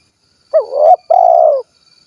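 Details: Close, clear single phrase from a spotted dove of 'kuk 1' style, Cilacap, Central Java: a quick rising note sliding into a short coo, a tiny pause, then a longer mellow coo that gently drops, over a faint high whine.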